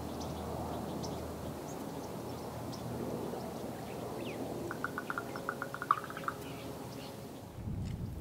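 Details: A raven, apparently a young female, gives a territorial call in flight: a quick series of about ten hollow knocking notes over a second and a half, against a steady rumble of wind.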